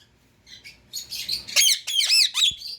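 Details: Indian ringneck parakeet, a pet bird, builds from soft chatter to loud harsh squawks with rising and falling arched notes in quick succession.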